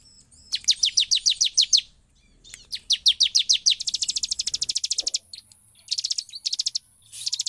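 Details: Bar-winged prinia (ciblek) in lively song, said to stir other prinias into singing. It gives bursts of sharp, high, down-slurred notes repeated about five per second, then a long rapid trill of ticking notes ending in buzzy high chatter.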